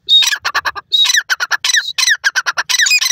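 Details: Grey francolin, known locally as jahaz teetar or buri teetar: loud, harsh cackling notes delivered in rapid, uneven runs, starting with a sharp high squeal and followed by many clipped, grating syllables about five per second, clear and close.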